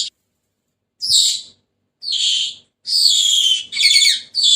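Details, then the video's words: Senegal parrot giving four loud, harsh, raspy bursts, each about half a second long, spaced roughly a second apart, with quiet gaps between. "تغريد ببغاء السنيغالي the sound of the parrot senegal"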